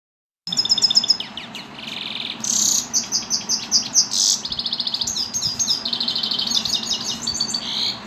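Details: Himalayan goldfinch (Carduelis caniceps) singing in an aviary, a fast, high jumble of tinkling twitters, buzzy trills and rattles, nearly continuous for about seven seconds.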